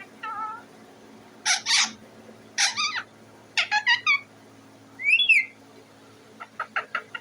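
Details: Caged parrot perched on its cage calling to be fed: short harsh screechy bursts and raspy squawks, a rising whistled note, and quick clipped chirps at the end, over a faint constant hum.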